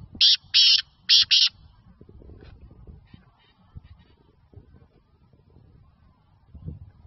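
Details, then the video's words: Black francolin, known locally as black partridge or kala teetar, in Sindh, Pakistan, gives a quick run of four harsh, grating bursts in close pairs, followed by quiet with soft low rumbling in the background. "Black Francolin | Black Partridge | Kala Teetar ki Awaz"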